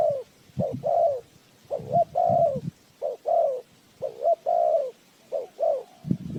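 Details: Decoy spotted dove used for bird trapping, giving steady paired coos, a brief note followed by a drawn-out falling coo, repeated in a regular series with some low thumping noise in between.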